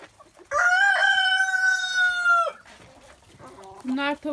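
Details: Early morning on a free-range farm with many roosters, a rooster gives a long, drawn-out crow of about two seconds, followed by softer clucks and short calls from other chickens just let out.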